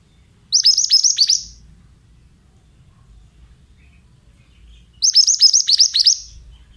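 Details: Male Oriental magpie-robin sings two near-identical phrases four seconds apart, each a quick string of about seven sharp, high, downward-hooked whistles lasting around a second, over a quiet low background.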